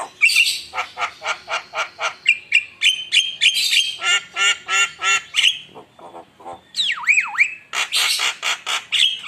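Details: Very vocal Javan myna singing as a lure to excite rival birds: rapid rhythmic harsh grating notes, about three per second, broken by a sharply dipping and rising whistle near the end.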